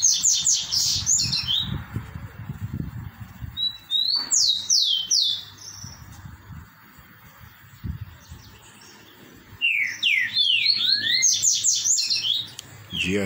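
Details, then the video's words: A Green-winged saltator sings its three-note "boi" song: bright, clear phrases of quick down-slurred whistles in three bursts with pauses between, over low rumbling background noise. "TRINCA 3 NOTAS BOI"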